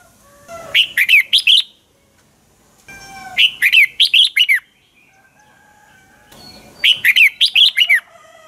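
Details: Red-whiskered bulbul lure bird singing its dueling song at dawn: three phrases of five to six rapid liquid whistles, each note sliding downward, spaced roughly three seconds apart with soft calls between.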